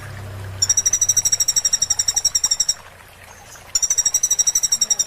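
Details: Sunbird song played to teach caged birds: two rapid, evenly pulsed high trills lasting about two seconds each, with a short gap between them and a low hum in the background.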